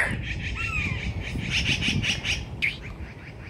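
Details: Yellow-billed magpies at Red Bluff Recreation Area, California, up in trees and agitated by a nearby red-shouldered hawk, give a fast series of harsh chattering squawks, several per second, with a faint whistled note early and low background rumble.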